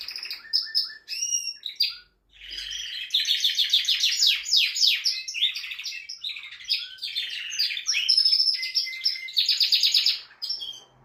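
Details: A male canary sings a long, rapid song of bright trills, chirps and rolling notes, high-pitched with quick repeated phrases and brief pauses; the song is meant to stimulate females for mating.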